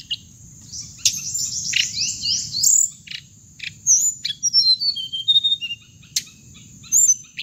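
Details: Hồng hạnh bird sound played back to lure birds into traps: rapid, high, thin chirps and downslurred whistles in quick bursts, then scattered sharp notes, over a steady high insect-like whine.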